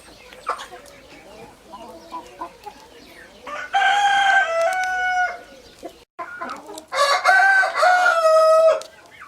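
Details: Two loud rooster crows follow a stretch of scattered low clucks and knocks. Each crow is a drawn-out, rich harmonic call lasting close to two seconds, separated by a brief silence.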